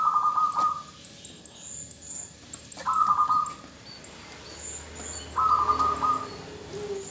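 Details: Zebra dove female calling to the male to prompt him to sing; three short pulsed, purring coos spread over seven seconds, faint lower coos and light high chirps in a quiet background.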